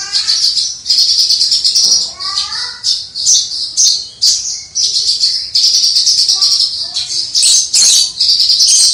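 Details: Javan bush lark, a hobbyist's kept songbird, delivering its nonstop crystal-voiced gacor song from afar: a high, shimmering stream of fast chips and trills, with short descending slurred notes woven between.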